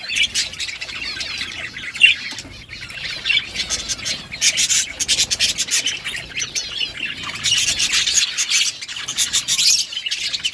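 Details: Flock chatter from budgies at a meal of green food: dense, scratchy high chirps and squeaks, surging loudest in the second half amid rustling.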